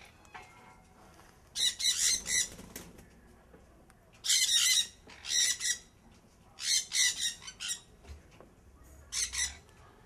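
Sun conures give harsh, rasping screeches in four bursts about every two and a half seconds, each burst a quick run of several grating shrieks.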